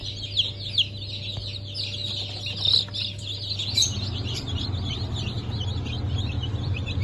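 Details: Blue Brahma, Porcelain Brahma, Sussex and Marans chicks from a 1 April 2024 hatch. Several loud, sharp peeps come early, then busy overlapping cheeping continues while a low rumbling hum grows stronger.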